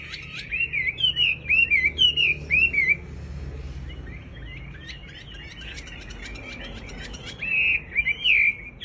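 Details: Sooty-headed bulbul in breeding condition: several bubbly, looping whistled notes at the start, a quieter stretch of soft twittering, then a final burst of wavering fluty notes.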